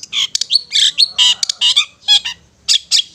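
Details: Long-tailed shrike singing in the ngetet style, played as therapy to stir stressed or silent shrikes: rapid bursts of harsh, squawky, buzzy high notes broken by brief pauses, with some sharp clicks in between.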